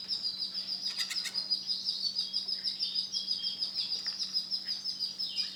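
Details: A white male canary sings a loud, bright, high trill with evenly pulsing notes, opening with a few sharp clicking chips and ending in downward slurred whistles, over a faint hum.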